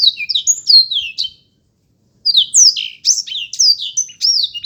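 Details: Short phrases from a black-throated canary, bright descending whistles and quick chirps, a pause of nearly a second, then another lively warbled burst.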